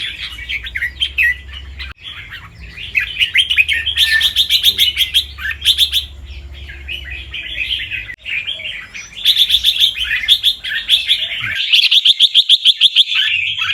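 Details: A white albino red-eyed fancy red-whiskered bulbul, a competition bird in Chonburi, Thailand, sings bright, bubbly, fast-paced warbled phrases, some doubled and rapid, with a low hum in the background.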